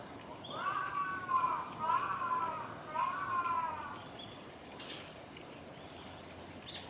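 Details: Varied tit in snow at Gongenyama Bird Sanctuary, Japan, on 31 December 2021: a run of three or four drawn-out, nasal, wheezy notes over about three seconds, then a few faint, higher chips in a quiet setting.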